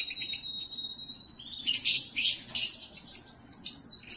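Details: Canary song used to stimulate females before breeding: one steady, pure high whistle held over a second, then harsh broadband chattering bursts and a quick descending trill of sharp notes.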